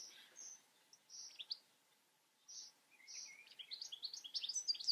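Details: European goldfinch song: faint, high tinkling twitters and short buzzy notes in scattered bursts, building into a denser run of rapid chirps near the end, with a quiet background.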